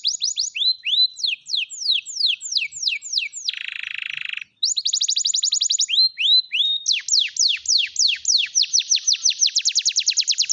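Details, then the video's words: Canary song played to encourage silent canaries, mixing fast falling notes, a brief dense lower buzz, a high rapid trill and loops of upslurred and downslurred whistles. "kenari gacor || pancingan kenari macet bunyi"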